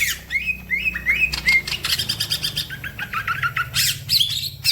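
Green leafbird in rich, fast song: slurred whistles, sharp chirps and buzzy trills jumping between pitches, with other songbirds chattering alongside.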